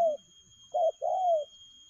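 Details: A single spotted dove phrase in the rapid 'lèo gù' cooing style: a soft coo tail, then one short hollow note and a drawn-out, slowly descending coo, in quiet surroundings.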